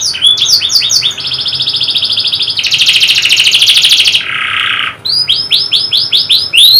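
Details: Canary song used to stimulate silent birds: loud, fast trilled phrases, rapid repeated upswept notes then a dense buzzy roll and a lower steady trill before more swept whistles.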